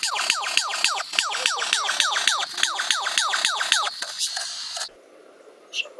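A lyrebird mimics a car alarm with rapid falling electronic whoops, about four per second, for five seconds before going quiet.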